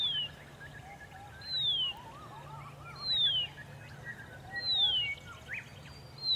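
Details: A Horsfield's bronze cuckoo singing in early-morning sun near Dayboro, SE Queensland, Australia, November 2021, repeats a high, thin, downslurred whistle about every one and a half seconds, over faint twittering from other birds and a low background hum.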